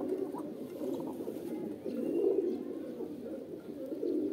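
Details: Pet pigeons cooing: a dense chorus of low, throaty, rolling coos that swells around the middle and again near the end.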